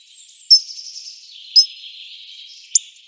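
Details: Hawfinch giving three loud, sharp ticks over a constant murmur of high, thin bird twittering and a long faint whistle.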